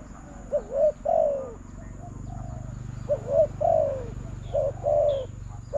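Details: Cooing of a spotted dove answering a decoy at a bird-trapping contest; gentle two-part phrases, quick note then lengthened falling coo, repeated three times over a steady low background hum.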